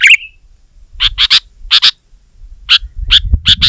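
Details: Sooty-headed bulbul singing against a rival: a brief slurred note, then sparse pairs and triplets of sharp chirps separated by pauses, with a low rumbling background.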